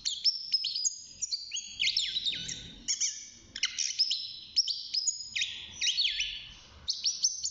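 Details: Caged young European goldfinch, half a year old, in early song: a fairly continuous run of tinkling, twittering phrases mixed with downward-sliding whistles, with faint low room noise beneath.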